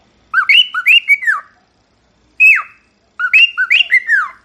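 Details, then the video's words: Cockatiel whistling: a phrase of quick rising and falling notes ending in a downward slur, a single falling whistle, then the phrase again. "شاهد اروع غناء من طيور الكوكتيل خرافي"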